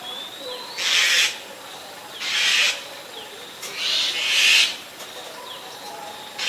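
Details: Asian barred owlet (Glaucidium cuculoides) giving four harsh, hissing rasps, each about half a second long, at uneven intervals. Thin, high whistles from another bird sound faintly behind.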